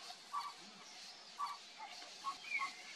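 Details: Bare-faced ibis (Phimosus infuscatus), also called tapicuru: short, mid-pitched nasal notes spaced irregularly, roughly one per second, over a steady hiss of background sound, with a brief higher chirp near the end.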